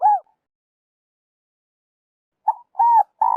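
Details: Spotted dove calling, used to lure birds for trapping: a single arched coo, a gap, then a brief note, a rounded hoot and the start of a long sustained coo. Clean, silent background.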